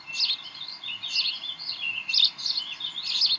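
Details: Bald eagles at the Decorah nest on 18 May 2012, around 7:45 pm, during tug of war and play time. High, thin chirps come in clusters about once per second, steady throughout with a faint background hum.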